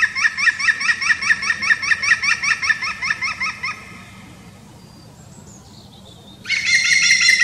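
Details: European green woodpecker: a loud run of ringing, evenly spaced notes for nearly four seconds, a quieter gap with faint high sounds, then a sudden harsh, buzzy burst to the end.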